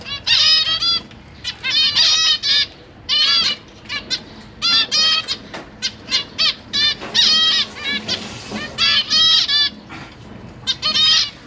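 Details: Zebra finches kept in a large cage, with parents feeding three juveniles and three new chicks, September 2023: a lively stream of repeated nasal honking calls, short notes crowded together in rapid irregular bursts throughout.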